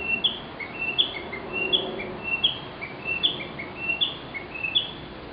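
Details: Recording more than ten years old of a Narcissus flycatcher song: about eight repeated two-part whistled phrases, each a mid note rising to a sharp high note, evenly paced over soft background noise.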